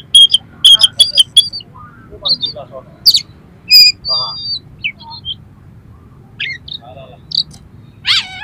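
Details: Rough-material song of an oriental magpie-robin, used to excite another magpie-robin: a quick volley of sharp clicking notes opens, followed by scattered whistles, wavering trills and a final harsh burst.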